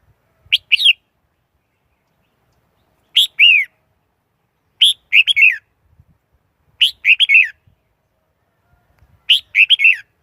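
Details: Red-whiskered bulbul repeating the same lively, warbled phrase five times, roughly every two to two and a half seconds, each a quick rising note followed by bubbling, falling whistles; faint low taps between phrases.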